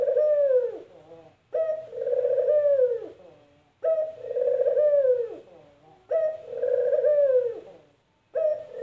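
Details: Spotted dove, called puter, repeating its characteristic "kuk gerruuuk" call: a short low coo then a long, sliding, downward-bending note, four phrases at steady intervals of about two seconds, little else audible.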